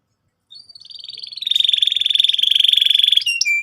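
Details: Canary singing to provoke another bird: a thin trill builds into a loud, rapid, even roll held for nearly two seconds, followed by short whistled notes.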